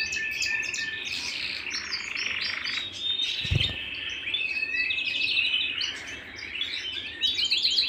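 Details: Singing canary at home delivers a busy mix of sharp chirps, sustained whistled tones and quick trills, with a brief low knock midway.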